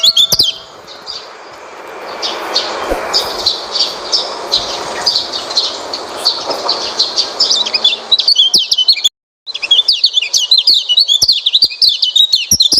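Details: Oriental white-eye song meant to prompt a reluctant white-eye to sing: hiss at first, then dense high twitters that build and, after a brief break, burst into a fast chattering warble.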